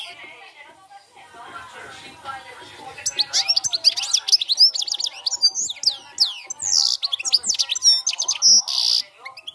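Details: After about three seconds of quiet background, a European goldfinch bursts into 'cante campero' field song, with fast tinkling chirps, slurred whistles and buzzy notes continuing to the end.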